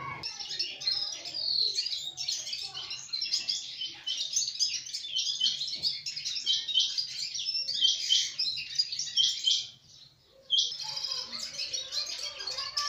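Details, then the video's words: Busy high chirping from sparrows runs almost continuously, a jumble of short piercing notes that breaks off briefly near the ten-second mark before resuming. "ak chote aur Pyaari chirya (Sparrow) 🕊️ aur us ki Pyaari awaz"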